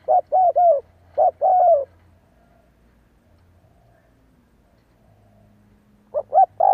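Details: Mellow cooing of a spotted dove trained as a decoy in the kích bokk style. Clusters of three short rounded coos come in quick succession, with a long pause before the next burst begins. A soft low hum runs throughout.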